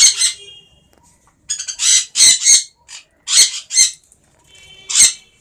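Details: A baby sun conure gives harsh, raspy squawks in short bursts, several close together.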